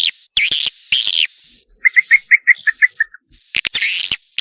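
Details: Swiftlet call for calling the young: harsh buzzy high calls and a sustained whine, with a run of about ten short lower chirps in the middle and rapid clicks.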